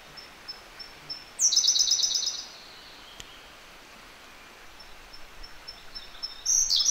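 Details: Siberian blue robin singing close by in a mountain gorge: faint high ticks lead into a loud, rapid, high-pitched rattling trill of about one second, followed by spaced soft ticks and the start of another burst.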